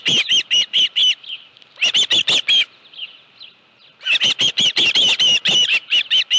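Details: Osprey, nest scene with a live fish, 25 July 2018: bursts of five or six sharp whistled chirps alternating with quiet stretches, the last burst long and evenly paced.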